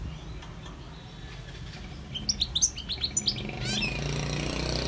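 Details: Wild European goldfinch song: after a quiet stretch, a quick run of high, bright twittering notes, then a rapid series of downward-sliding high notes, with low background noise throughout.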